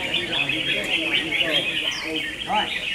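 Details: Red-whiskered bulbuls in a singing contest: overlapping bright warbled phrases and quick chirps form a continuous high chorus, with faint lower sounds underneath.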